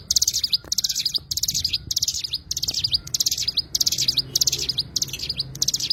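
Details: An Oriental white-eye (cigun) delivers a fast run of sharp, high twittering bursts, each about half a second, almost without pause, over a soft low background hum.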